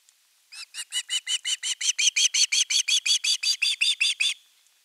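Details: Osprey chick on a nest in Finland, 10 August 2021, calling long for fish: about twenty-one rapid, strident, down-curved squeals, starting softer and building louder, evenly spaced.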